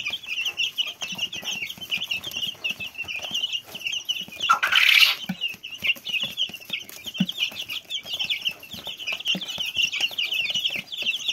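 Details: Small chickens peeping steadily, a continuous chorus of high, thin cheeps from several chicks, with a brief louder rustling burst midway.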